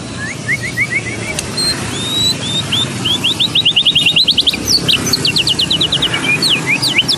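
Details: White-rumped shama of the Medan strain, a training song for competition birds: soft opening whistles build into rapid, loud runs of clipped notes and trills, ending in sharp sweeping calls over distant traffic noise.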